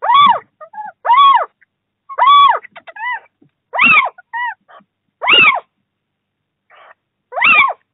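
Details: Little owls in Bommelerwaard, Netherlands, on 4 March 2024, during the first prey transfer of the new breeding season, give nasal, mewing, arched calls roughly every second, mixed with shorter, softer notes between them.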